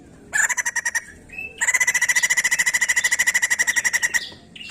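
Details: Song of the white-crested laughingthrush, played to get other birds singing: a brief run of buzzy pulses, a pause, then a steady fast series of rasping notes lasting about two and a half seconds.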